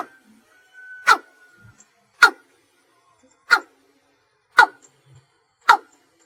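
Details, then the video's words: Watercock (cúm núm) calling at night, slow single-note style: five sharp knocking notes roughly a second apart, preceded by a brief steady whistle-like tone. "Tiếng cúm núm ăn chim GÀ THÚC CHẬM, tiếng đánh đơn rất ok"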